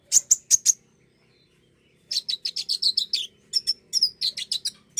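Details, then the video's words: Common iora song meant to spur a bird to sing: four piercing high notes at the start, a pause, then a long fast string of repeated sharp chirps with slight pitch changes. "pancingan bunyi burung konin!"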